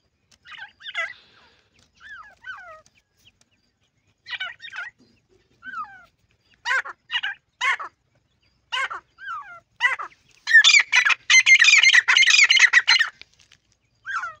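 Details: Francolin chicks in playful mood give sparse thin, falling peeps that grow denser, ending in a loud continuous harsh chattering chorus before a final lone chirp.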